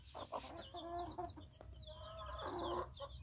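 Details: A protective hen with chicks gives harsh, drawn-out clucks and low grumbling notes in quick succession, while thin high peeps from chicks sound faintly above.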